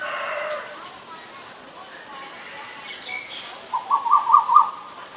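A male Asian koel gives a quick run of about five mid-pitched notes that grow louder, after a faint tonal sound at the start.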